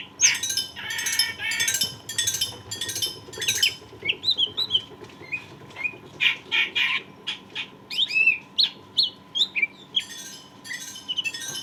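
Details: Greater green leafbird in strong singing form, used as a teaching recording for stressed leafbirds: long rich medley of harsh chatters, rising whistles and mimicked-sounding phrases, busy throughout with short gaps.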